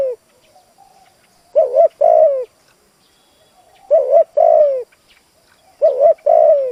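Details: Spotted dove used as a decoy for wild doves, giving three cooing phrases, each a clipped double note and a long descending coo, spaced about two seconds apart in a quiet setting.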